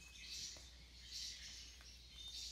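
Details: A completely tame green male parrotlet gives bursts of high, scratchy chirps about once a second, over a steady low hum.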